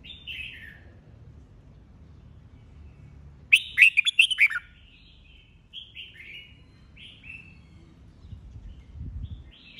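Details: Red-whiskered bulbul in competitive bọng-style song, a mature wild-caught bird. A falling warble, then a loud fast burst of sharp notes, followed by a series of softer slurred phrases.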